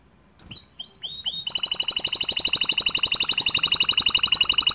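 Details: Canary singing to goad other canaries into song: a few rising chirps, then a sustained, very even fast trill of roughly four notes per second, loud and bright.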